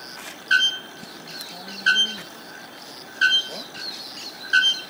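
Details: Bare-throated bellbird recorded in PETAR park at Iporanga: four loud, sharp, metallic ringing strikes, one about every 1.3 seconds, over steady pulsing insects and a few faint, softer bird notes.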